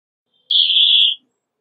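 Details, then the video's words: A brambling (Fringilla montifringilla) gives one drawn-out, wheezy buzz lasting under a second, high-pitched and flattening slightly toward the end; nothing else is heard. "Brambling Song! Brambling Call! Brambling Voice! - Pinzón Real Canto"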